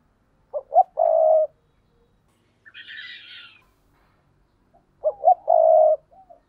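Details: Spotted dove giving paired cooing: two phrases, each of two short hollow notes followed by a long, steady, low coo, roughly four seconds apart, with a brief higher raspy sound between them.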